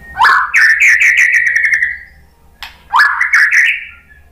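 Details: White-rumped shama song intended to provoke other birds: two rolling, rapidly pulsed phrases, each opening with an upward sweep and then holding a steady trilled pitch.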